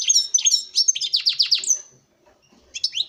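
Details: Courtship song of a captive male European goldfinch directed at a female: a run of fast, repeated liquid chirps ending in a long thin whistle, then silence before a fresh burst of twittering starts.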